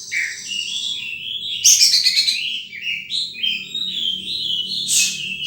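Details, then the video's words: Wild sunbird calling: bright, high twittering notes and short rising whistles in a busy, overlapping series, with a steady low hum underneath. "Suara Burung Madu liar"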